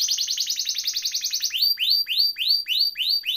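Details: Gacor canary in rolling ngeroll style, used as a tutor recording to prompt silent canaries to sing: a very rapid high buzzy trill, then slower, evenly spaced rising-and-falling whistled notes about five per second.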